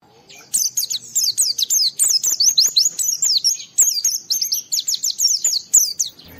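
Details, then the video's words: Oriental white-eye singing vigorously as if challenging a rival, used to prompt other white-eyes to answer: a rapid, continuous run of very high, thin whistled notes sweeping down and up, densely packed for about six seconds. "Suara Burung Pleci Gacor Cari Lawan Bikin Semua Pleci respon gacor buka paruh"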